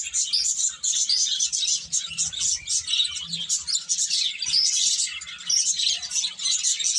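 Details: Flock of birds giving a nonstop stream of high, squeaky chirps and thin whistles, many voices layered into a bright, bustling chatter.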